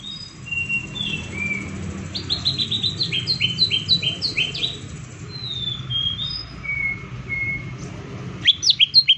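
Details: Green leafbird lure song in 'tembakan' style: a varied run of clear whistled notes, some rising and some falling, given in quick series over a low background rumble, ending with a loud burst of sharp notes.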